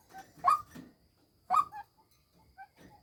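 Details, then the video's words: Decoy female white-breasted waterhen utters two loud, hoarse croaks about a second apart, each followed by faint, soft clucks. "tiếng chim quốc mồi mái"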